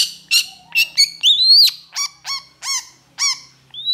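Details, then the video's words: Long-tailed shrike in heated song: a varied string of clear whistles. Notes rise and fall, with one long upslurred whistle. They end in several rich, downward-bending notes spaced about a third of a second apart. "3 MENIT PENTET AUTO GACOR❗️Cendet Gacor Emosi Cocok Buat Cendet Macet MALAS Bunyi STRESS Cepat GACOR"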